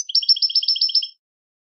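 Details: A brief goldfinch phrase of eight to nine quick, evenly spaced twittering notes, each doubled high and low, over about a second.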